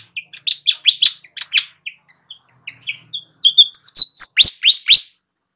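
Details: Energetic flycatcher calls for luring wild birds: fast runs of high, descending chirps, a brief lull of scattered notes, then a loud series of down-slurred whistles.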